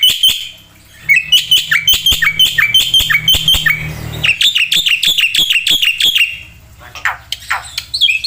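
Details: A black-winged myna sings with many filler phrases: quick, rhythmic runs of ringing whistled notes and harsh clicks, ending with longer, sweeping squawks, over a low background hum.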